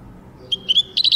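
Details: European goldfinch singing: a short burst of high, bright chirping notes, first a thin note and two quick chips, then a tight run of four ringing notes, against a quiet background.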